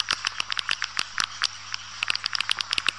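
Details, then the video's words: Swiftlet calls used to attract swiftlets: quick, uneven clicks mixed with bright, short chirps, many per second, over a faint steady hum. "Suara Burung Walet Sp MJF 87 Panggil Burung Walet"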